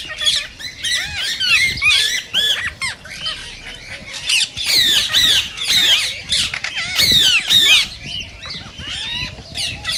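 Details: Indian green parakeets, rose-ringed, giving calls meant to stimulate singing and mating: grating squawks and looping whistled notes, about two a second, from several overlapping birds in irregular loud bursts.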